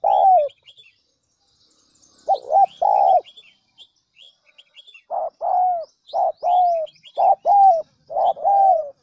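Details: Lure recording of a spotted dove for stirring wild doves to coo: deep cooing phrases, short notes followed by a longer falling coo, coming faster toward the end, while thin high chirps of other small birds sound behind.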